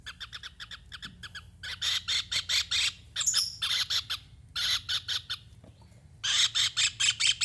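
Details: Javan kingfisher calling vigorously and nonstop: loud, harsh squawking notes delivered in rapid bursts of about a dozen, separated by brief pauses, with a low steady hum underneath.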